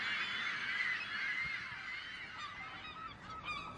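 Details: Gulls calling to frighten off predators, human or bird; a loud burst of overlapping squawks that gradually fades and thins, leaving a few clipped cries near the end.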